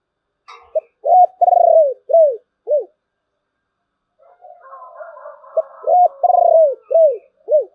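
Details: Spotted dove in the thổ bầu singing style gives two full phrases: a brief opening note, a rolling buzzy long coo, then two descending arched coos. Faint murmuring sounds fill the gap between phrases.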